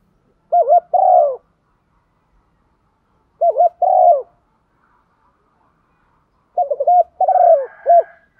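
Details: Rapid 'kích bổi' calling of a spotted dove to stir decoy birds. Three phrases of low raspy coos, the last one longer with a closing coo, while another bird chatters faintly at the end.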